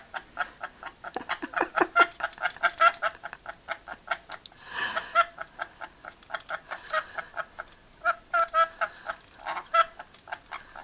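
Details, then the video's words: A pet rainbow lorikeet chats and laughs with its owner in rapid bursts of harsh, screechy notes, several per second, with a brief rushing breath-like noise midway. "rainbow lorikeet chatting"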